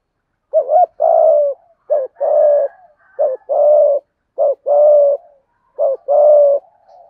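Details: Spotted dove cooing, played to prompt a silent caged dove to coo: five phrases, each a short double note followed by a longer mellow hooting coo, repeated roughly every 1.3 seconds with clean silence between.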